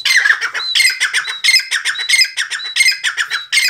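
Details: Rapid, scratchy chattering from a black francolin, known locally as Sindhi teetar. Harsh broadband bursts repeat almost without pause, about one every two-thirds of a second, all through the recording.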